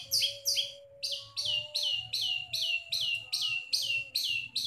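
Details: Long-tailed shrike singing actively through its repertoire of mimicked songs: harsh, buzzy notes sweeping downward, repeated about two and a half times a second in a steady series, over a faint low hum and a thin steady tone.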